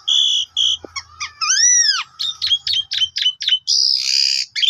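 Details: Asian pied starling singing as a lure for other birds: clear paired whistles, then arched slurred notes and quick chipping phrases ending in a harsh buzzy burst.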